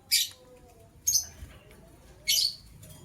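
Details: White lovebird, one of a matching couple, chirping in the morning: three piercing, very high chirps, each a brief harsh burst, spaced about a second apart over a quiet background.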